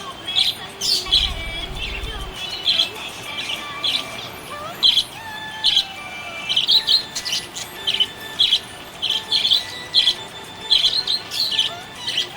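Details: Happy budgerigar chirping: short, high, bright chirps in quick bursts, repeated roughly every half second to second, over a soft, steady background hiss with faint lower warbling lines.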